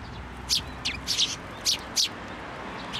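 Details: Fledgling Eurasian tree sparrows come to a plum tree at a shrine to get food, late May 2024; five short, bright chirps, some doubled, spaced irregularly over a quiet background.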